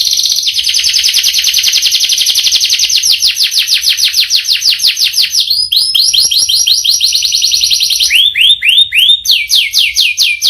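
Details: Canary with a long rolling song, a fast continuous high trill lasting about five seconds, followed by shifting rolls and a set of slower, swooping whistled notes near the end.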